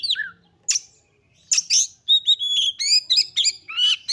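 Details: Excited Oriental magpie-robin song, used to rouse other magpie-robins to sing; starts with a harsh note and a low whistle, then fast strings of clear whistles, trills and scratchy notes.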